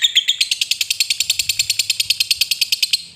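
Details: Lovebird in long ngekek chatter, a sound meant to prompt other lovebirds into song: an unbroken rapid series of harsh buzzy notes, about ten per second, continuing steadily for three seconds before fading.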